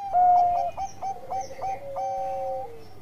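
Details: Zebra dove of the Bangkok line singing to prompt rival doves: an opening long coo, a string of quick clipped notes at even spacing, then a sustained tone that falls away at the end.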